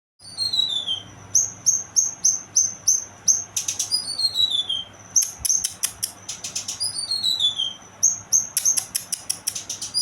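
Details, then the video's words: Young kinoy bird singing: bright high whistled notes repeated about three per second, broken by downward-sliding slurs and dense buzzy bursts, against a faint low hum. "burung kinoy muda"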